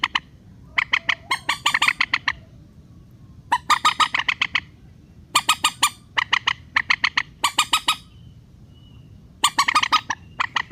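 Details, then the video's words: Rail giving a relaxed call, used as a trapping lure for netting: harsh squawks delivered in quick rhythmic runs, some bursts accelerating, repeated across the recording with short breaks, steady low background noise. "PIKAT BURUNG MANDAR SUARA SANTAI"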